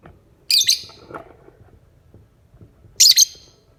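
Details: Lovebird in the morning giving two bursts of shrill, high-pitched chattering squeaks a few seconds apart, with faint low noises in between.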